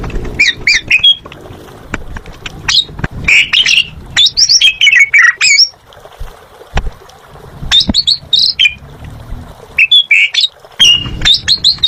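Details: Jalak suren, the Asian pied starling, in full gacor song: a long stream of harsh squawks mixed with whistled, sweeping notes, delivered in dense bursts with brief pauses between phrases.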